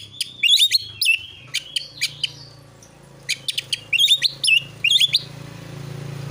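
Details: Narung fighting song from an Oriental magpie-robin, meant to goad rival birds. Sharp chirps and short swooping whistles come in quick clusters over a steady low hum that grows louder toward the end.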